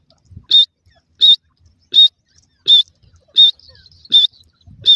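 A francolin gives short, shrill, high notes, repeated evenly about every three-quarters of a second, with faint low rustling between them.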